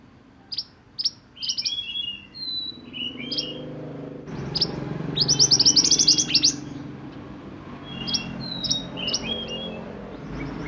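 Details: Busy sunbird 'roll nembak' song for tutoring other birds: quick high chips and short chirpy phrases, building into a loud rapid rolling burst, then more varied twittering notes and sharp chips.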